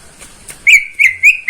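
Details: Greater green leafbird kept caged by a neighbour in Indonesia, morning: three short clear whistled notes at an even pitch, each with a slight upward flick.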